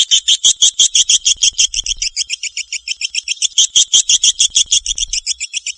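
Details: Swiftlet in Kalimantan giving a fast, even twitter: high, bright chirps repeated about three times a second throughout, with a faint low rumble underneath at times.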